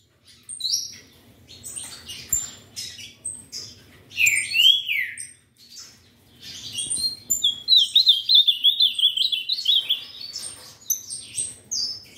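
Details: From a breeder, an ultramarine grosbeak sings short phrases with a looping slurred whistle near four seconds and a long wavering trilled whistle around eight seconds, amid scattered high chirps and calls from other birds.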